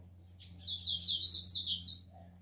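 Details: Rufous-collared sparrow (tico-tico), captive-bred, males worked up and ready to fight, with females present; a quick, high, thin song of wavering whistled notes sliding up and down, lasting about one and a half seconds, over a steady low hum.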